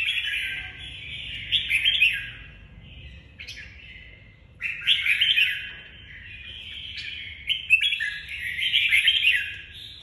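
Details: Red-whiskered bulbul in the "nhảy cóc" hopping song style, delivering rich, chattering, warbled phrases in bouts of a second or two with short gaps between them, over a faint low hum.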